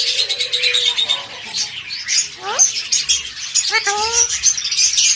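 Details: A pet talking parrot; a long level tone, then a rising harmonic sweep and a quick stacked phrase, set against dense high chirping chatter.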